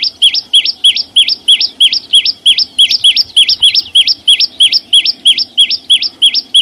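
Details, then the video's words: Chim sâu xanh giving a rapid chain of paired notes, a dipping whistle followed by a rising one, about three per second, with high sharp ticks interspersed and a quiet hum underneath. "ssuab no9ó txeeev quaj zô heec tiếng chim sâu xanh hót chuẩn"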